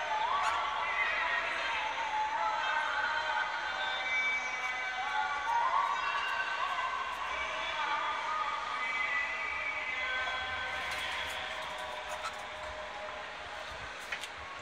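Cockatiels chatter in dense, overlapping whistles and warbling notes while mating.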